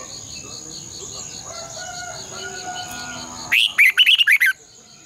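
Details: Caged red-whiskered bulbul's decoy song for training other birds: after faint background tones, a sudden lively burst of six or seven rapid, fluty, up-and-down notes lasting about a second.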